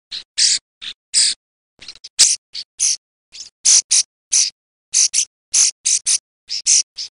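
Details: Common starling calls in a mix made for trapping: loud, harsh, buzzy bursts repeated in quick irregular succession, each about a quarter-second long, with abrupt silent gaps between them and no other sounds.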